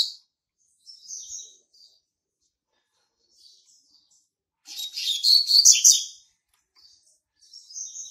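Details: Young male Double-collared Seedeater born in March 2019, singing to mark territory: soft high whistled notes, a pause, then a loud rapid burst of chattering, buzzy twitters lasting about a second and a half, and a few soft notes after it.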